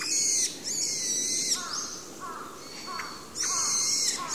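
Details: A pale thrush gives high, thin trilled 'kupipipi' calls, apparently produced by vibrating its throat, in bursts about a second long with short gaps, over faint background hiss.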